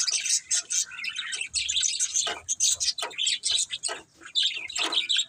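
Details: Pet budgies keep up rapid, scratchy warbling mixed with sharp clicks and squeaky chirps, nearly without pause across the stretch.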